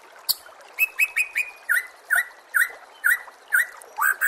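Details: Training master song of the white-rumped shama (murai batu) with a background of water: short rising whistled notes repeated about twice a second, each with a crisp attack.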